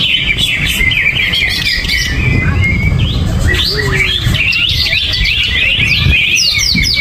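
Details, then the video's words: Greater green leafbird (cucak ijo), agitated singing with no cage cover: a long run of quick whistles, chips and sweeping slurred notes, growing denser toward the end, over a low rumbling background. "Cucak Ijo Gerabakan No Pisang , No Kerodong , Cuaakkzzz !!!"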